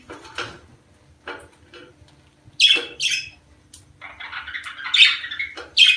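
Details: Budgerigars in the breeding season, calling to stir females to mate and lay; scattered sharp squawks, then a bright rising call pair near the middle and a run of warbled chattering, over a quiet background with a faint low hum.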